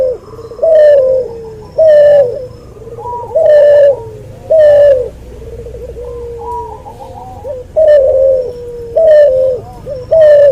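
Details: Cuhu dove, a cross of white albino puter and puter pelung, cooing loudly and steadily, about one strong phrase per second. Each full, level note is followed by quieter trailing coos, with a higher faint coo between them.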